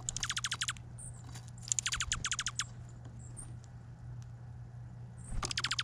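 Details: Chickadees at a feeder on Vancouver Island, chirping: quick bursts of sharp, high notes, each sweeping steeply downward, run together in fast rattling series with short pauses between bursts, over a steady low hum.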